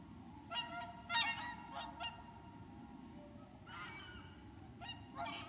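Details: Whooper swans (Cygnus cygnus) wintering at Lac du Der in Champagne, France, on 30 January 2014: loud trumpeting, nasal honks with rich harmonics in irregular bursts, overlapping calls from several birds, steady low background rumble.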